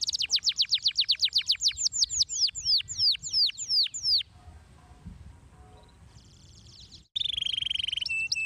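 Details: Canary singing a run of rapid, repeated, downward-sweeping high notes for about four seconds. A quiet pause follows, then a bright, buzzy high trill with a steady tone near the end.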